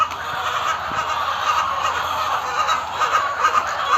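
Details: Many laying hens in a layer poultry farm shed in Rajshahi, Bangladesh, making a loud commotion: a dense, continuous wash of overlapping clucks and squawks with no pauses.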